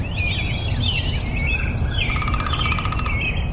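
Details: Nightingale delivering a quick run of looping, swept whistles that drops into a fast, steady rattle of repeated notes lasting over a second, with a deep background rumble throughout.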